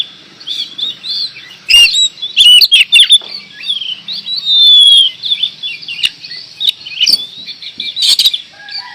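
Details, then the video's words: Oriental magpie-robin (kacer) in lively gacor song: a fast run of varied whistled, bending notes and sharp chips, densely packed, with loud clicking knocks at intervals. "Kacer gacor door"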